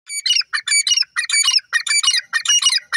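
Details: Francolin calling loudly: harsh, squawking notes in tight bursts, roughly three clipped notes per burst, repeated nearly twice a second without pause.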